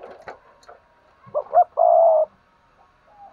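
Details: Decoy spotted dove luring other doves to coo: after some faint clatter, two brief coos lead into one long, even, hollow croo, with quiet rustling afterward.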